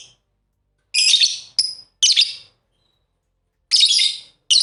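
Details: A pair of pet lovebirds at play utter grating chirps, a short cluster of three calls including a brief clear whistled note, then silence before two further rough chirps.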